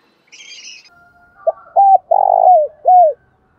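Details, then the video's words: Spotted dove calling in the morning, a long lure-style coo: faint high chirps at the start from another bird, then a short hoarse note followed by three strong low coos, the longest one falling at its end. "tiếng cu gáy thúc bổi & Gáy gọi mới nhất"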